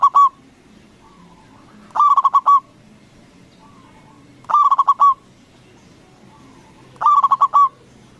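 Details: Loud local zebra dove used as a lure that makes rival doves answer. Crisp phrases of about five fast coos repeat every two and a half seconds, and quieter, distant dove coos sound between them.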